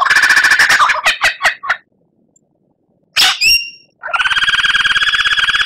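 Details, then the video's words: Kept white-rumped shama in a training recording: a fast buzzy trill, a few loud falling notes, silence, two sharp chips, then a steady, harsh rattling buzz. "Masteran Murai Batu Gacor"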